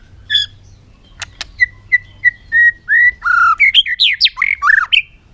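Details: Bird gives a series of clear whistled notes about a third of a second apart, rising slightly, then breaks into a lively jumble of buzzy, swooping and squeaky notes.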